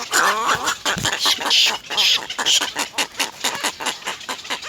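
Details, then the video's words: Three little egret chicks at their nest peck at their mother for food, giving rapid harsh chattering clicks about two per second, mixed with a few short nasal, wavering squeals near the start. "little egr Three baby birds bite their mother to feed"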